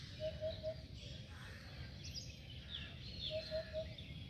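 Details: A white Silver pheasant in a zoo gives two bursts of three quick, mid-pitched clucking notes a few seconds apart, with higher chirps from other small birds and a steady hum.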